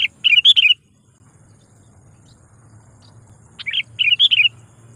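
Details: Rival-calling lure call of a sooty-headed bulbul: two bursts of liquid, bubbly warbled notes separated by a few seconds of quiet, the second opening with a sharp rising note; faint low rumble underneath.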